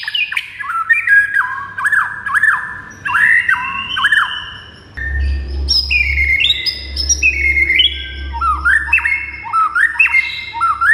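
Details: White-rumped shama song used as training audio for other birds, a rich run of whistled, rising and falling phrases with sharp upslurs, shifting higher toward the end, with a low hum beneath.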